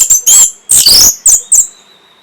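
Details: Brief orange-headed thrush phrase, played to stimulate breeding and response. It is made of harsh, noisy, buzzing bursts with high shrill overtones, four in about two seconds, ending on a faint thin whistle.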